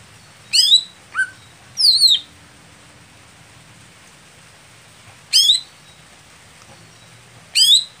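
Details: Greater green leafbird kept for competition, slow to heat up and late to start performing. It gives bright, sharply bending chirps, a lower single note and a quick doubled phrase, followed by long pauses and more chirps.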